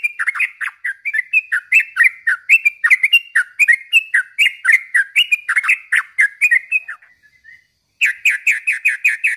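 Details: Energetic sooty-headed bulbul song for training and luring birds: a continuous flow of rapid rising-and-falling whistled notes for seven seconds, a faint soft note, then a fresh burst of quick chirps.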